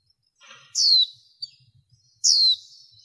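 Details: Training female white-eye stimulating males with two strong, high descending squeals about one and a half seconds apart, a tiny chip between them, and faint low tapping beneath.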